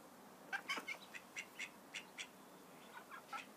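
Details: Call duck ducklings giving a series of short, high, broadband peeping notes, about a dozen spaced unevenly over a few seconds, some louder and clustered, against a quiet background.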